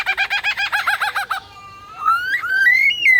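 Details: Superb lyrebird in Adelaide zoo imitating a DSLR camera: a fast run of about a dozen evenly spaced, pulsing notes, then a short gap and a long whistled line stepping upward in pitch.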